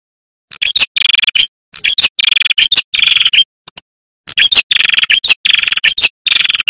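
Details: Male red-headed prinia in vigorous song, used as a lure for wild prinias, tailorbirds and ciblek and as tutor audio for young birds: loud bursts of rapid buzzy, ticking trills, each under a second, separated by short pauses.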